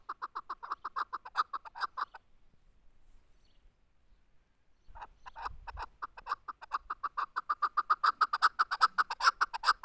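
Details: Chukar partridge calling: a rapid series of clucking chuck notes, about two per second at first, then a pause of a few seconds, then the notes resume and grow louder and faster toward the end.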